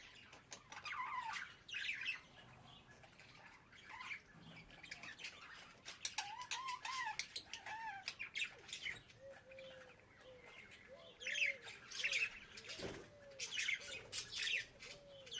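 A budgerigar warbles a rapid, chattering stream of squeaky chirps, clicks and short whistled notes.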